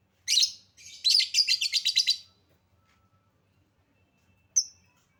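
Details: Lovebird lure recording for coaxing a reluctant bird into song: a sharp squeak followed by a fast stuttering chatter of high chirps, then quiet and one final thin note.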